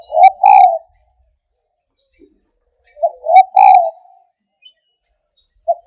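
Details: Spotted dove giving two cooing phrases about three seconds apart: quick soft introductory notes then a strong, sustained coo, with a faint thin sound between phrases.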